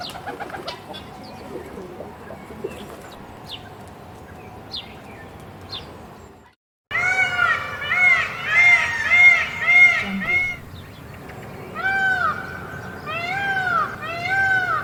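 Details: Peacock held in a cage; faint scattered noises, then after a brief cut a rapid run of loud, nasal, arched honking calls repeated about twice a second, a pause, and a second shorter series.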